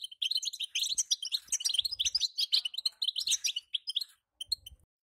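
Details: Batbata call of a female European goldfinch, intended to prompt a male into song: quick high twittering chirps for about four seconds, then silence broken by a few faint notes and soft thuds.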